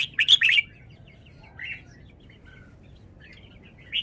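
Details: Caged red-whiskered bulbul showing off its song style: a loud burst of quick, bubbly, warbled notes at the start, then soft scattered chirps and quieter whistled fragments.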